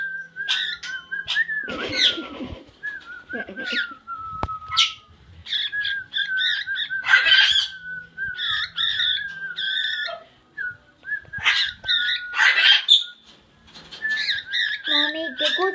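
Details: A baby cockatiel in its cage, trying to sing, whistles a halting, wavering song broken by short chirps and pauses.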